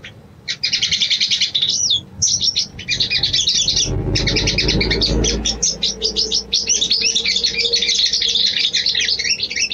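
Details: Female sooty-headed bulbul calling the male: fast, scratchy high twittering in bursts with short breaks, and a low thud in the middle.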